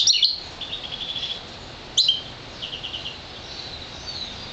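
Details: Year-old colour-fed goldfinch mule bred from an intensive green fife canary: sharp high chirps opening, a run of trilled twitters, another bright note burst, then soft rattling trills.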